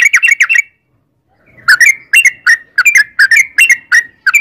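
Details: Yellow-vented bulbul (trucukan) singing vigorously for a lure: a short quick burst of chirps, a one-second pause, then a lively string of slurred, bubbly whistles.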